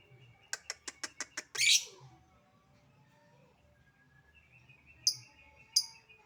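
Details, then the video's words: Lovebird calling with 'ngetik' ticking: a row of six sharp, evenly spaced clicks, then a short harsh buzzy burst; two more brief high chips follow after a pause, over a quiet low hum. "Burung Lovebird Memanggil Di sertai Ngekek, Di Awali ngetik lanjut ngekek"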